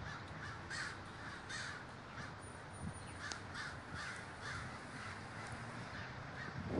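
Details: Large communal gathering of crows in Davis, California: many birds cawing at once in rough, evenly spaced bursts, with continuous low rumble underneath.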